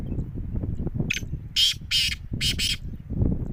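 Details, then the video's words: Black francolin giving its jungle call in a short test, a burst of harsh, grating notes in quick clusters over a steady low rumble of background noise. "Kala Teetar Jungle ki bulai"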